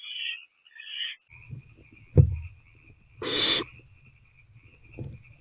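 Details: Owl nest box at night on 21 April 2024 while parent owls deliver food to the owlets: faint raspy notes, then a knock and one loud, harsh hissing burst, over a thin continuous background hum.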